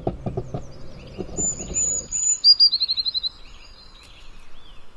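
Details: Garden blue tit giving high, thin introductory whistles and then a rapid rippling trill of around a dozen notes, after a couple of seconds of low rumbling and knocking noise at the start.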